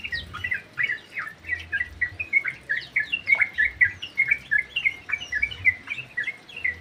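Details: Inside an aviary, a sooty-headed bulbul chatters actively: quick, bright, bubbly chirps come in steady pulses of about two per second, with a soft low hum in the background.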